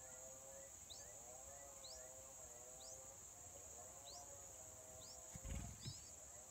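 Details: Yellow-vented bulbul in the wild, mother bird feeding chicks, day four: sparse sharp rising chirps every second or so, a wavering low tone beneath, constant high hiss, and a brief knock near the end.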